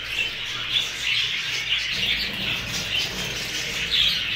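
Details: Hogoromo budgerigars, newly acquired, in a busy group: steady overlapping chattering and chirping with short shrill peaks near the start, middle and end, and faint low thumps underneath.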